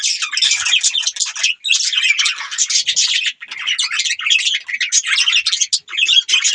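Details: Budgerigars' chattering warble: overlapping quick chirps and buzzy trills run on steadily, with brief gaps roughly every one to two seconds.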